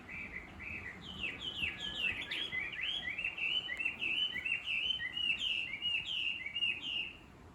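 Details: Chinese hwamei singing in countryside surroundings, the bird whose chattering wakes the listener each morning: a long, busy stream of quick varied whistles and slurred notes, irregular in rhythm, fading out at the end.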